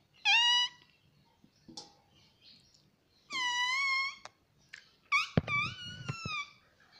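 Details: Talking pet parrot repeating "mummy" nonstop: three loud, rich, harmonic vocal phrases, each lasting about half a second and gently wavering, separated by soft clicks and pauses indoors.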